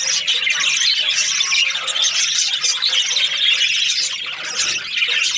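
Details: Budgie chirping happily, a steady high babble of squeals, chirps and rasping warble notes, with little change in loudness throughout.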